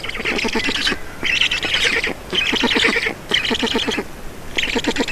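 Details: Black storks at their Estonian nest during feeding, 4 June 2019, 18:07; rasping, stuttering squawks repeat in regular bursts about once a second, each with a clicking rattle, separated by short silences.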